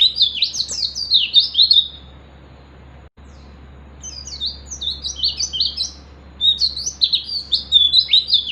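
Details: Wild oriental white-eye seeking a rival, song meant to provoke other birds: three bursts of rapid, high, twittering chirps with brief pauses between them, over a steady low hum.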